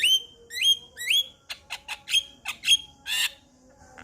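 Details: Singing male Javan myna whose song prompts other Javan mynas to start calling: three upward-sweeping whistles followed by a run of harsh rasping clicks and a final buzzy burst.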